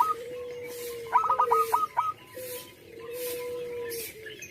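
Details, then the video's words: Zebra dove of local stock in full voice, giving a short rapid flurry of staccato coos that then stops, with a constant low droning tone and soft background noise. "Perkutut lokal gacor suara besar"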